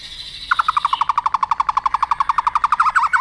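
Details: White-rumped shama stimulated to fight-sing: a fast, even rattle of clipped notes repeated about ten times a second for nearly three seconds, steady in pitch, with a faint high tone behind.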